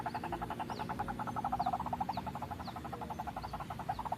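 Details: Trapping lure sound of a White-breasted waterhen: a rapid, regular string of low croaking pulses, with occasional thin descending whistles from another bird.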